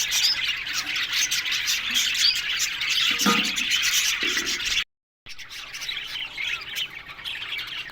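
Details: Busy chatter from a colony of Australian budgies in an aviary: overlapping high chirps and rasping warbles, a short lower tone near the middle, then a sudden brief silence before the chattering resumes.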